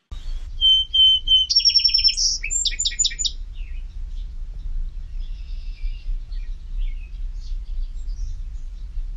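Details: Song Sparrow in eastern North America opens with three clear whistled introductory notes, then a buzzy trill and a rapid jumble of chirps fading into softer twitters; low background rumble throughout.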